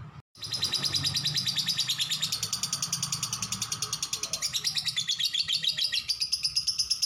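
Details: After a brief silence, a lovebird launches a long 'ngekek' chatter: rapid, rhythmic, high buzzy notes kept up steadily to the end.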